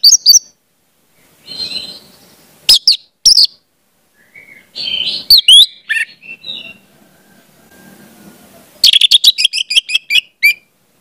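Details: Orange-headed thrush song for teaching young birds to sing: sparse high chirps and brief whistled phrases with long quiet gaps, closing in a fast, rich run of crisp notes.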